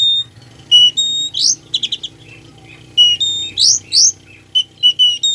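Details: Oriental magpie-robin singing a song full of mimicked fill-in phrases, used to rouse sluggish birds: clear whistled notes and sharp buzzy bursts in two similar bouts, separated by brief pauses, over a faint low hum.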